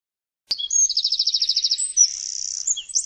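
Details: Eurasian wren (Troglodytes troglodytes) singing a very high, rapid, sustained song of bright trills and twittering notes. It starts abruptly and runs unbroken through a quiet background.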